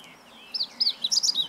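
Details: Meadow bunting singing on 20 March 2015: after a quiet start, a short phrase of high, sharp, twittering notes rises and falls within about one second.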